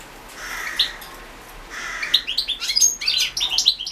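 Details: European goldfinch recorded as a competition entry in a goldfinch song championship in 2016; faint buzzy notes give way to a rapid run of twittering, chirping high notes in the last two seconds.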